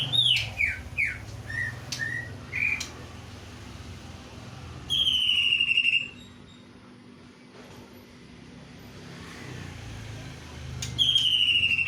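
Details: Greater green leafbird singing kingfisher-like material: a fast burst of falling whistled slurs and short chirps, then a sustained loud descending whistle, a quiet gap with background hiss and rumble, and a final strong whistle.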